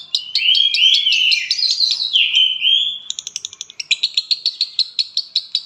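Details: Lovebird from Palembang singing in the konslet style: about three seconds of slurred, warbling whistles laced with ticks, then a fast run of sharp, clicking chatter notes, roughly three per second.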